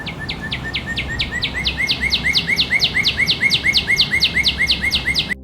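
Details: A cardinal at around 6 a.m. repeats a fast series of bright, sharply down-slurred whistles, about four per second, over a low background hum.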